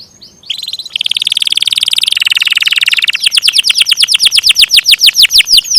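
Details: Canary singing a long rolling song: faint short notes, then a fast, dense buzzy trill that shifts pitch midway, then a rapid run of high down-slurred whistles, about seven each second.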